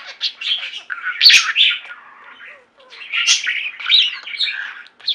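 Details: Budgerigar flock kept as pets, singing: two bursts of buzzy chattering warble and sharp chirps separated by a quieter stretch of soft murmuring.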